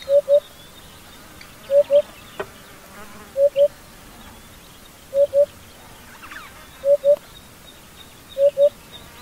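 African hoopoe giving soft, low, hollow paired notes, 'hoop-hoop', repeated about every one and a half seconds, with faint distant bird calls behind.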